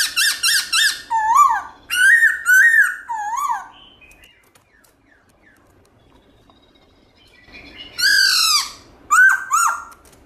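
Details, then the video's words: Black-throated laughingthrush singing a loud, clear wild-style song of many voices: bursts of rich whistled notes, rising and falling, with overtones, a quiet gap of about three seconds, then further swooping whistles. "Khướu bạc má HÓT GIỌNG RỪNG nhiều giọng âm to rõ cực hay"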